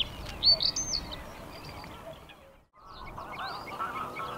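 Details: Male Bluethroat in spring, perched on a post nearby and singing: a few loud rising and falling whistled phrases open the clip, then a brief gap and quieter scratchy high notes, with low rumbling background noise.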